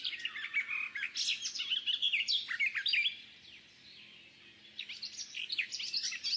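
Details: Saker falcon (Falco cherrug) chicks on a nest webcam in Hungary, 11 May 2012, give shrill, overlapping chittering and squealing notes in busy bursts, with a brief lull in the middle.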